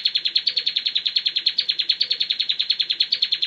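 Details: Ngebren-style song of a bar-winged prinia, tutor recording: rapid, steady string of sharp high notes, roughly eight a second, running without pause throughout.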